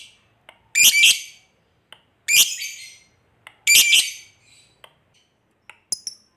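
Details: Lovebird, a long ngekek chatter used to provoke a lazy lovebird into singing: three loud harsh buzzy squawking bursts about a second and a half apart, with short clicks and a few thin high chirps between them.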